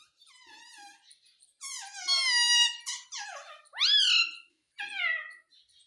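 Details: Indian ringneck parakeet talking Hindi at home, saying words like mummy and mitthu: a string of nasal, voice-like harmonic syllables, some falling and some sharply rising, with brief pauses between.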